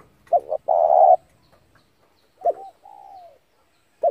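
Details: Lure call of a spotted dove for trapping wild doves: one full phrase of short notes and a long steady coo, then a quieter clipped note and a long softly falling coo, another phrase beginning at the end.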